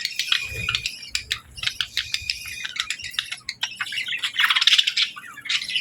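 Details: A female budgie and companions chirp during a calm morning of feeding and bathing: quick sharp chirps tumble irregularly, about three a second, building to a louder warbling burst near the end.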